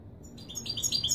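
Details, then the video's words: Goldfinch giving authentic Wiydani Marrakchi song meant for tutoring young birds; brief burst of rising, liquid high chirps starts after a short quiet moment and grows louder toward the end. "الحسون الكوبرية للأخ أحمد تغريد الويداني المراكشي الأصيل لله يبارك لتسميع و تلقين الفراخ"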